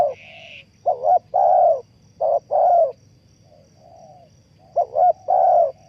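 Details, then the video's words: Deep repeated coo phrases from a spotted dove serving as a trap decoy. A brief higher chirp comes at the start, and quieter coos are heard faintly between the loud phrases. "The Sound Of Spotted Dove is good,Bẫy cu gáy bằng mồi trồn,เสียงนกเขาใหญ่,Suara Terkukur Pikat Tua"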